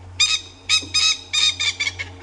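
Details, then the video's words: A coqui francolin at dawn on an African safari game drive, 1 Dec 2016, gives about seven harsh, grating notes in quick, uneven succession over two seconds, with a vehicle engine hum underneath. "that doesn't sound like he's saying Koki whatsoever."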